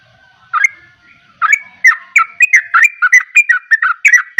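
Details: Yellow-vented bulbul in full, energetic song (gacor). A soft lead-in note is followed by a quick stream of chirpy, gurgling notes that rise and fall, repeated roughly three times a second against a quiet background.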